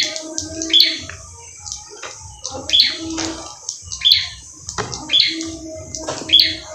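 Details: Prinia, newly bought from a bulk lot of wild-caught birds, giving short sharp high chirps repeated every one to two seconds, with a low steady hum and soft background music underneath.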